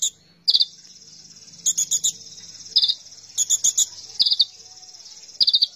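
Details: Oriental magpie-robin singing steadily. Loud clipped whistles and short chattering bursts every second or so over a constant, high, insect-like buzz.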